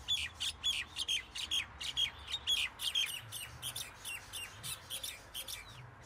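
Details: Common myna delivering a long, steady chatter of harsh, buzzy notes, roughly two per second, loud at first and then gradually fading over six seconds.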